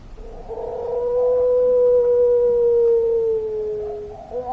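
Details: Long-voiced puter pelung dove giving one smooth, low, sustained coo that swells in and holds steady for about three seconds before sliding slightly down and fading.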